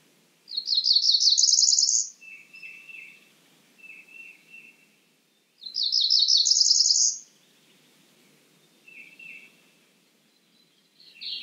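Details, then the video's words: Cerulean warbler repeating a quick, rising, buzzy phrase about every five seconds, while a lower bird softly repeats short notes in between. "Cerulean warbler Calling."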